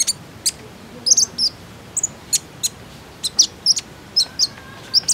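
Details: Common iora lure call for coaxing birds into song: crisp, very high chip notes spaced unevenly, some doubled, against quiet background hiss.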